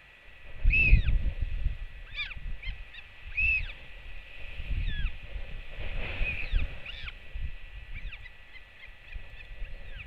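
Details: Royal albatross chick on a nest webcam welcoming its returning mother with a skycall: a run of short, harmonic, rising-and-falling cries repeated through ten seconds, over heavy low wind roar.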